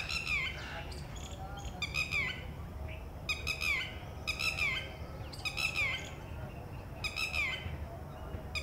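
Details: Female red-wattled lapwing calling in alarm from a distance as one of four eggs hatches at her ground nest, warning the newly hatched chick of possible predators; strident harmonic notes in bursts of three or four, falling at the end, repeated every second or so over a low rumble.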